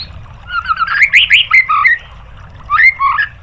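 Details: White-rumped shama song used as a training recording to provoke other birds into answering: a fast run of varied warbled and slurred whistles rising and falling, then a pause and a shorter second burst of similar notes, over a low steady hum.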